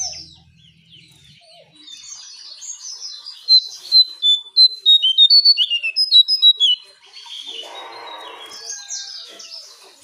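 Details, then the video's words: Brown shrike call for luring birds: after a quiet start, a fast burst of loud, thin, high chirps and squeaky notes pours out for about three seconds, followed by softer scratchy chatter and a few high squeaks. "Jongkangan/Cingcoang coklat untuk pancingan burung anda"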